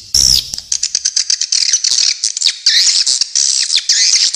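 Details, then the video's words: Swiftlets calling in an original recording: a loud sharp opening squeak, then a steady stream of high, buzzy chirps and thin whistled notes from several overlapping birds. "Suara Walet Original"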